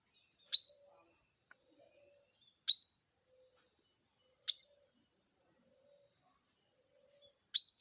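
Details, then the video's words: Bar-winged prinia giving sharp, loud single chirps, each a brief downward-sweeping note, repeated about every two seconds with quiet gaps between. "Suara Burung Ciblek nyaring"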